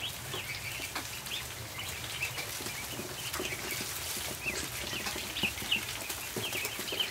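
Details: Feeding-time ducklings in a barn keep up soft, high peeps alongside frequent clicks and shuffling, a few louder chirps standing out near the end.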